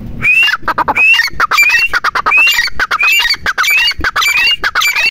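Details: Grey francolin, known locally as teetar, calling loudly in a fast, steady series: harsh, rasping notes, each ending in a bright, rising whistled phrase, repeated about every 0.7 seconds with no pause across the stretch.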